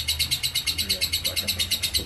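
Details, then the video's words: A lovebird in ngekek konslet style: shrill, rapid pulsed chattering at a steady beat of roughly eight notes a second, continuous across the clip, with soft low background hum. "Burung lovebird ngekek konslet"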